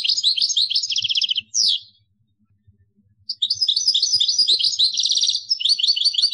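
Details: Caged European goldfinch song: bright, tinkling twitters and fast liquid trills in two bursts separated by a short pause, with faint low rumbling underneath.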